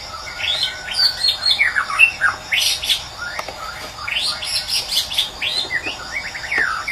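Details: Morning song of a wild white-rumped shama of the Medan type, used as a lure for birds that have stopped singing. A continuous, lively stream of varied whistled and chattering phrases sweeps up and down, with crickets pulsing steadily underneath.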